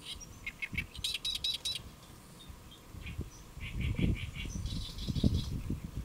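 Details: Great reed warbler perched on a lotus leaf at Saemangeum, Gimje, Jeollabuk-do, Korea, recorded around midday on 1 July 2024; bursts of harsh, chattering repeated notes alternate with lower croaking phrases over a rumbling low background.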